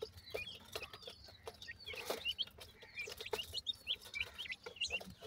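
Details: Young francolins being fed by attentive adults; a chorus of sharp, high, down-slurred chick peeps repeated in quick succession, with intermittent clicks and faint low clucking beneath.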